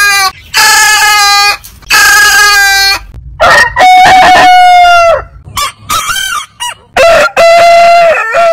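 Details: A series of loud rooster crows, some long and level, others choppier with wavering pitch. They follow one another with brief pauses, suggesting more than one bird.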